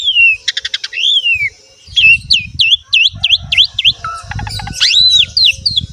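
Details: Asian pied starling, a lively 'full isian' song meant to prompt young males and females to sing: a slurred descending whistle, buzzy rapid clicks, then a run of sharp V-shaped whistled notes, a flat tone and more swooping whistles.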